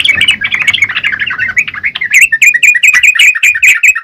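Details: Yellow-vented bulbul singing busily, a fast jumble of chirps that settles midway into crisper, evenly spaced bright notes repeated a little over twice a second.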